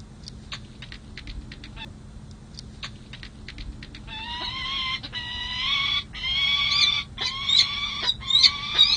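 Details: Peregrine falcon pair at San Jose City Hall in July during a long pair-bonding session: soft ticking clicks build into loud, harsh, repeated wailing calls with sharp rising notes, growing louder toward the end.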